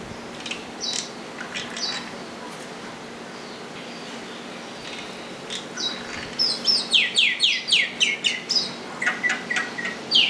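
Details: Common myna calling: scattered sharp chirps early, then a rapid run of about a dozen descending whistled notes between six and nine seconds, followed by a few harsher chirps, over a low steady hum.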